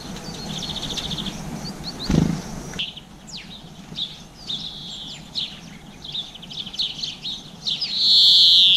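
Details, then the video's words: Seed-eating garden birds, among them black-capped chickadee, blue tit and greenfinch, recorded with a GoPro near 7 pm in April 2020: scattered high chips and brief trills, a dull thump early on, and a loud buzzy note closing. "Oiseaux des jardins mangeant des graines - garden birds eating seeds"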